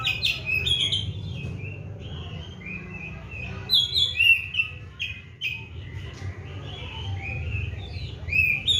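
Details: Oriental magpie-robin in a cage, kept on seven crickets and morning and evening baths, sings a steady stream of whistled and chattering phrases, with bright high accents and brief pauses, over soft low background noise.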